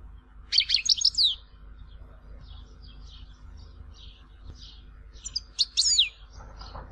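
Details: European goldfinch in Tizi Ouzou giving two short bursts of high, scratchy twittering about five seconds apart, with faint chirps between them and a steady low hum throughout.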